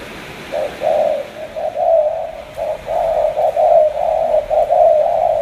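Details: Spotted dove of the 'tú' coo type from Cà Mau: low hollow coos that run almost continuously, blurring into a rolling, slightly uneven stream in the second half, with a faint background murmur.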